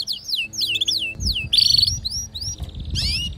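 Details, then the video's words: Canary song with the male singing alongside a female's mating call: whistled notes sweeping down from high pitch, a brief buzzy trill and rising slurs, with low rumbling background noise and a faint hum. "صوت طلب إنثى الكناري التزاوج مع غناء فائق الروعة لذكر "canary""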